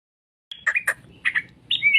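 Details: Straw-headed bulbul singing short, rich, liquid warbled notes in a few quick bursts, ending on a drawn whistled slur; quiet background.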